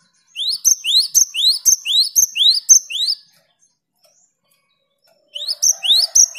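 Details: Great tit replying to a lure great tit with a steady series of upslurred whistles, each joined to a thin high note, then silence, then the same phrase pattern resumes.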